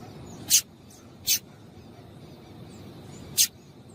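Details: Calling female double-collared seedeater, used to excite male birds: three brief raspy chip notes, two close together and one after a two-second pause, over constant background hiss.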